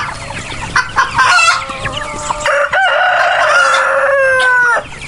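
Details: Roosters among free-range and farmed chickens crow in long, loud, sustained harmonic calls, several overlapping. The longest runs about two seconds and drops at the end, over a background of softer clucking from the flock.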